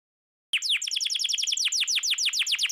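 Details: After half a second of silence, a canary bursts into a rapid rolling trill of short downward-slurred notes, bright and high, kept up steadily. Played to stir non-singing canaries into song.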